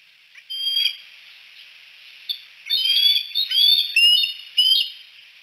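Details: Bald eagles at Decorah, three perched on the Y branch at sunset, giving high, thin whistled chirps in short bursts, then rapid chattering piping notes that rise and fall, with quiet pauses between.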